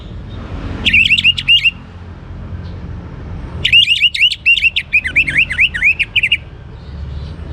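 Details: Young orange-headed thrush singing: a short burst of rapid looping whistles, then after a pause a longer, fast run of repeated swooping notes lasting nearly three seconds, with low rumble beneath.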